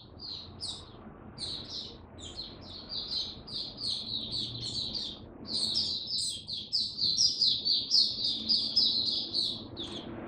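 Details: An oriental white-eye kept as a cage bird, in cold rainy weather, pours out a long, fast, high twittering song of rapid repeated notes that grows louder and denser toward the end.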